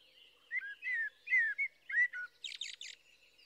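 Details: Blackbird song of several mellow, slurred whistles in quick succession, closing with a dry, high-pitched chattering flourish of three notes.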